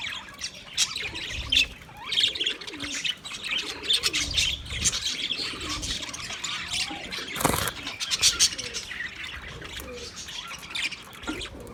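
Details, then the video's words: Budgies chattering together, meant as company for a lonely bird: a dense, continuous wash of high twittering and warbling, with scattered sharper chirps and one brief loud burst near the middle. "Budgies chirping sounds for lonely bird"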